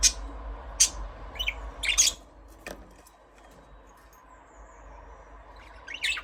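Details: Budgerigar chirping, a few sharp high chirps and squawks spaced about a second apart, then a quiet stretch and a final burst of chirps.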